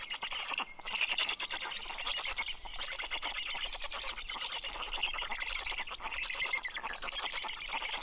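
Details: At a black stork nest in Karula National Park, southern Estonia, on an 11 June 2023 evening, the male arrives with fish for the chicks. Harsh, buzzing, fast-pulsed calls pour out without a break for the whole stretch.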